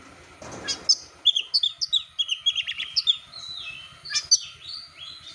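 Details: Champion Oriental magpie-robin, contest-ready, delivering a lively bait song to spark other birds into singing: a fast, continuous string of crisp high whistles and chips, evenly tumbling, after a brief burst of noise.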